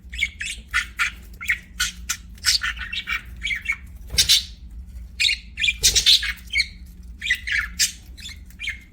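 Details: Rapid, repeated bright chirps from pet budgerigars, short notes in quick clusters with a couple of harsher squawks, low hum in the background.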